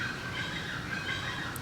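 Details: Plain chachalaca, a mostly ground-dwelling bird, in a tropical garden in Riviera Maya on the Yucatan Peninsula, giving harsh, raucous, dinosaur-like squawking calls that echo its name, in a steady grating run over a low background hum.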